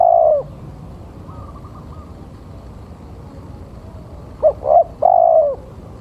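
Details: Male spotted dove lure call: the tail of one long falling coo, a quiet gap with faint distant chirping, then a complete phrase of two short coos and a sustained descending coo.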